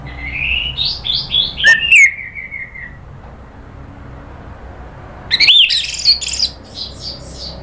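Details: Orange-headed thrush in a provocation recording used to stir the bird into emotional rattling and then loud singing. A quick run of high whistled notes slides downward, then a pause, then harsh scratchy bursts and short chirps.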